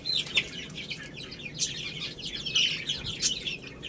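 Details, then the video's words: Chicks feeding on rice with busy high overlapping cheeps and tapping pecks, over a low hum. "Cute Little Chicks Eating Rice | Beautiful Chicks Chirping Sounds"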